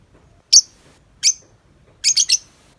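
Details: Lovebird, tame and outside the cage, chattering: two separate harsh squeaky chirps followed by a quick stuttered triple, high-pitched and scratchy, with a quiet background.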